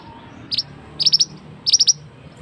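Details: Male scarlet-headed flowerpecker, locally mandi darah or mantenan, loud lure call for forest trapping: one high tick, then two quick groups of four sharp, high chips.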